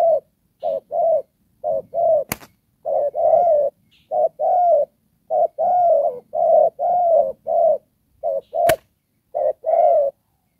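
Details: Decoy spotted dove kept for trapping, Đồng Pha cooing style: a steady run of low two-part coos, a clipped note then a longer slightly bending one, repeated over ten seconds, with two sharp clicks between phrases.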